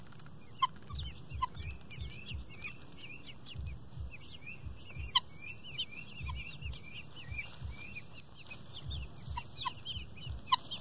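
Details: Helmeted guineafowl foraging for bugs while helping clear a garden bed keep up a busy chatter of short, harsh, upslurred notes over a steady high whine.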